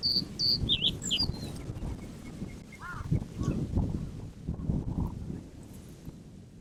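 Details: A black-headed common reed bunting (Emberiza schoeniclus) in breeding plumage sings a brief phrase of four or five high, sharp chirps. Fainter notes follow against a steady low wind rumble.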